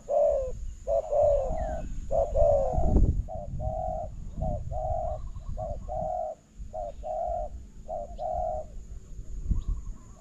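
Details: Spotted dove cooing at a decoy while a new bird trap is tried out; rapid run of soft, hollow coo notes repeated in clustered phrases, possibly overlapping callers, with low handling thumps and background rumble.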